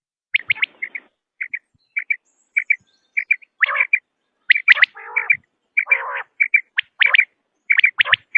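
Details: Common quail sounds meant to draw quail for hunting: quick high triple notes in series, interrupted by buzzy, lower raspy calls.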